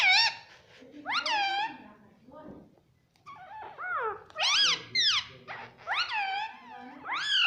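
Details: Talking parrot taught to say "mummy", giving a run of fast, voice-like syllables that swoop up and down, several rising-falling chirps close together, mixed with low background murmur and what may be a person speaking nearby.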